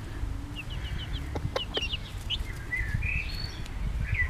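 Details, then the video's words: Brood of a bobtail-coloured Pekin bantam hen: bright, rising chick peeps in quick runs, a couple of soft clucks from the mother, and steady low rumble behind. "Zwerg-Cochin: Glucke mit Küken"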